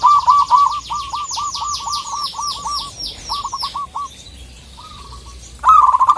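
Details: Zebra dove of local stock calling to challenge a rival: bursts of quick stuttering coos broken by short pauses, ending in a loud rapid run, while another bird's falling whistles sound over the first half.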